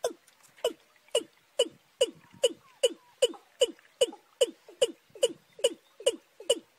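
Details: Watercock in March giving hollow, throaty 'kok' notes with a sharp click at the start, repeated steadily about twice a second.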